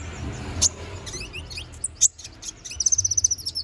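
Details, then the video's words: Konin bird in chattering ngobra song meant as a model for magpie-robins: scattered high twittering chirps, then a fast, evenly spaced trill of sharp notes over the final second. "MASTERAN BURUNG KONIN GACOR NGOBRA FULL ISIAN!"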